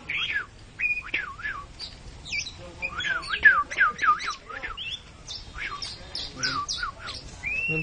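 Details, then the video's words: Kacer, the oriental magpie-robin, in a long varied song of looping whistled notes, rising and falling slurs and bright high chirps, phrases tumbling quickly one after another with some low background noise. "Burung kacer mbagong mbesi jadi balon"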